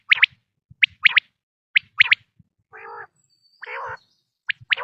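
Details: Quail calls used as a hunting lure for morning and night: sharp, high, liquid notes in quick groups of two or three, repeated about once a second, interrupted by two lower, nasal buzzing sounds.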